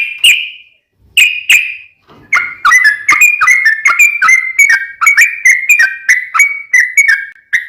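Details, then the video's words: Yellow-vented bulbul singing in a long rapid-fire style, a recording used to provoke other bulbuls to answer: two drawn-out whistled notes, then a quick run of short, clear, slurred notes about three per second. "trucukan gacor tarung ROPEL PANJANG pancingan trucukan agar bunyi"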